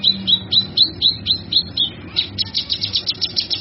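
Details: A male kinoy, used as a model for training birds, gives evenly spaced high whistled notes about four per second, then shifts into a faster, buzzier series of bright chirps.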